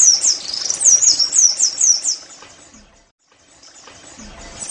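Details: Oriental white-eye song played to get caged birds singing: a rapid series of very high, thin slurred notes for about two and a half seconds, then fading to faint twitters amid soft background noise.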